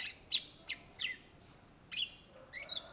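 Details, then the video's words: Greater green leafbird, native to Indonesia, giving bright whistled song notes: a few sharp sweeping whistles and slurred chirps spaced by short pauses, ending in a buzzy warble, low hum in the background. "SUARA BURUNG CUCAK IJO GACOR , TELER"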